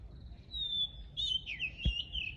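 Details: Rural birdsong: a long, steady, high whistled note drawn out for about a second, then a quick run of warbling, slurred notes, with one soft knock partway through and low outdoor rumble beneath.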